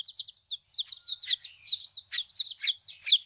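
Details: High, shrill peeps from a batch of just-arrived backyard chicks, rising and falling notes tumbling over each other in quick, uneven succession.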